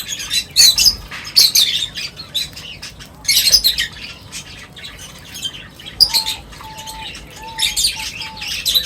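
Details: High, scratchy chirps and squawks from birds feeding together come in irregular bursts, while a steady thin whistled tone sounds faintly in the background near the end.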